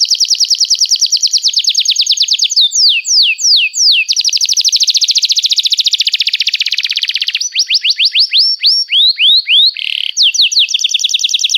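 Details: Canary in extended song for teaching young canaries: fast rolling trills alternate with swooping down-slurred whistles, then another dense trill and more sweeping notes, barely pausing, loud and bright throughout.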